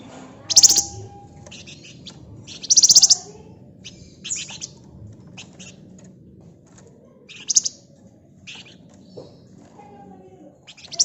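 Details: Flamboyan bird in vigorous ngebren song, dense and rapid, offered as a lure recording to set other birds singing; loud piercing high bursts of rattled chirps recur every two to three seconds, with softer ticks between over a low murmur.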